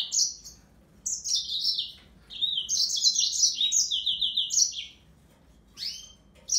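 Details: A yellow-fronted canary sings high rapid trills that drop and rise in steps, with one long phrase near the middle, then a pause before sweeping notes and a fresh burst at the end.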